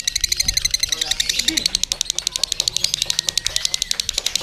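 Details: Lovebird at a singing contest, caged and hung with a jockey bird, pouring out a rapid, regular high-pitched chattering ngekek trill. Men talk briefly at the start.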